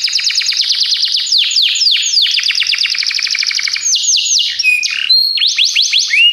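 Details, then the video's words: Belgian canary song used as a training recording for canaries: dense rapid trills of repeated downward-sweeping notes, shifting into faster rolling phrases and a few clear rising whistles near the end. "treinamento para canário belga"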